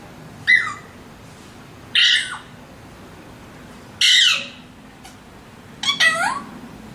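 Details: Alexandrine parakeets let out four loud, harsh screeches spaced a second or two apart, each a ragged burst that ends in a falling, bending tone.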